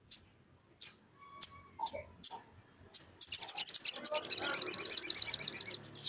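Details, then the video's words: Sogon calling its rival to goad another sogon into song: five or six spaced, very high chirps, then a fast, steady rattle of sharp notes lasting about two and a half seconds. "SOGON GACOR MEMANGGIL LAWAN, UNTUK PANCINGAN SOGON AGAR BUNYI"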